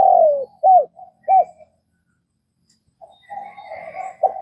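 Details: Spotted dove in Vietnam ending a phrase with a long falling coo and two short arched notes. After a pause come softer level hums with faint higher chirping and another coo starting.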